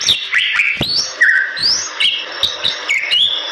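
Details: Bali myna, endemic to western Bali's forests in Indonesia, in lively song: sweeping whistles rising steeply and dropping, warbled mid-pitched phrases and scattered sharp clicking notes throughout.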